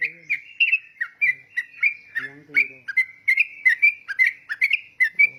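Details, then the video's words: Yellow-vented bulbul delivering a chattering run of bright, warbled whistles, repeated quickly without break; low voices briefly heard in the background. "Burung trucukan super gacor"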